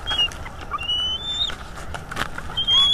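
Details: Two large bald eagle nestlings, judged a female and a male by size, at a northeast Florida nest in early May 2022, not yet fledged, picked up by a sensitive live-feed microphone: thin, high, drawn-out whistled notes, brief and spaced out, over a low background hiss.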